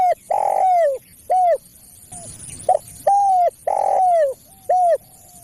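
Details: Spotted dove lure call for drawing in other doves and tutoring caged birds: clear, mellow coos, several long and slightly falling, others short, delivered in an uneven series with quiet gaps.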